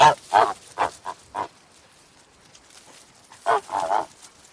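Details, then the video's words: Domestic goose on a farm giving rapid, harsh honks in a cluster of five, a silent stretch, then two or three more overlapping honks. "Som de Ganso"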